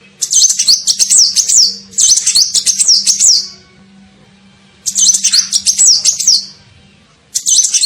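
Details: Lure call of the kolibri ninja sunbird: three long, dense runs of high, rapid, wavering twitters, each lasting over a second, separated by clear pauses, over a faint low hum.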